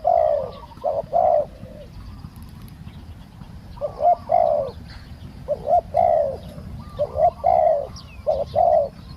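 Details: A spotted dove used as a decoy coos to draw in a wild bird with a small voice. An opening phrase is followed by a gap, then several low, throaty coo phrases close together.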